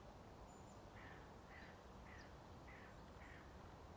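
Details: A Eurasian blackbird at Žale cemetery, Ljubljana, on 10 January 2024 gives five short, soft chook notes, roughly one every half second, over a steady low rumble of distant traffic.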